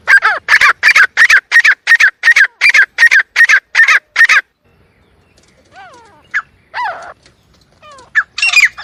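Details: Partridge (teetar) call played to lure birds for hunting: a rapid series of about a dozen loud, evenly spaced harsh notes, then a quiet gap with a few scattered, fainter slurred calls.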